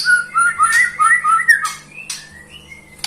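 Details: Sweet warbling from a white-rumped shama: a fast run of looping whistled notes with a harsh buzz, then two thinner drawn-out whistles, over a low hum.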